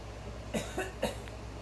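A cockatoo gives three short, harsh, throaty coughs about a quarter-second apart, a mimicked human cough, over a low steady hum.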